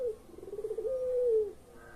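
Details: Puter pelung collared dove giving a single phrase: a brief falling note, a quick pulsed rolling section, then a long smooth coo that sinks slowly at the end, over a quiet background.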